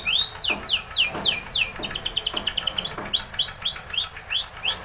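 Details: Spanish Timbrado canary in training song: steep falling whistles, then a quick run of rapid notes, then a steady series of arched whistled notes repeated about twice a second.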